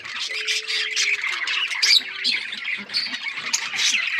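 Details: Group of Australian parrots giving busy, raspy chatter and sharp chirps without a break, with a faint low hum underneath.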